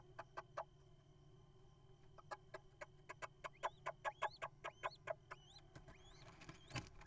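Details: Little owl at a nest box camera in Israel, male bringing a mouse to his family. Sharp clicking pulses come about twice a second, with faint rising whistled notes mid-clip, over a steady electrical hum.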